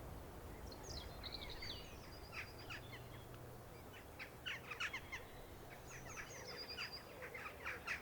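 A group of Western Jackdaws gives short, sharp, overlapping calls at an irregular pace, with thin higher chirps and steady background noise.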